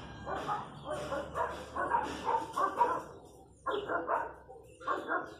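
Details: Wild chachalacas near a house in the countryside, a run of rough, raucous notes in quick succession, a brief pause, then two more bursts of the same grating calls.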